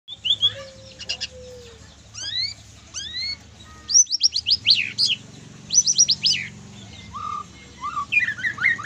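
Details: White-rumped shama singing in the trotol style, full of kriwikan twittering: varied loud whistles, rising sweeps and quick bursts of high chattering notes with short pauses, over a steady low hum.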